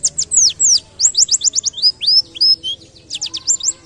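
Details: A white-eye (pleci) sings in a canary-like style, with rapid bursts of high, thin, down-slurred whistles and twittering chips, several notes a second, over a faint low hum.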